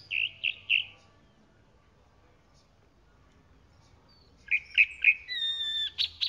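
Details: A chalk-browed mockingbird gives three bright chirps, falls silent for a few seconds, then resumes with a burst of chirps and a clear high sustained whistle.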